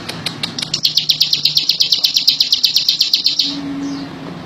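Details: A bar-winged prinia begins with a few spaced high notes, breaks into a fast regular chirping series, then stops abruptly, leaving a soft low hum.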